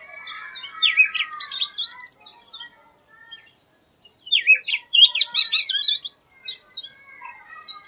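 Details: Oriental magpie-robin, known in Bengali as doyel, singing an unusual song unlike its typical one: two bursts of varied, rapid, slurred whistles and buzzy notes, separated by a short pause, with softer whistled notes fading between them.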